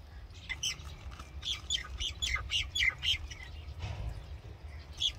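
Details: Common myna song: a busy sequence of short, chattering, squeaky notes, several per second, then a pause and one last sharp note. A low rumble sits underneath.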